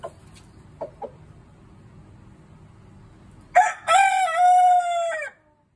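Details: Rooster gives a few soft clucks, then after a quiet pause a loud crow: a harsh rough opening followed by a long, drawn-out, ringing note that cuts off sharply.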